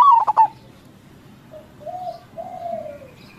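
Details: Local zebra dove giving crossing-style song used as a calling lure: a single phrase opens with a rising whistle and a burst of staccato coos, followed by quieter, longer descending coos against light background murmur.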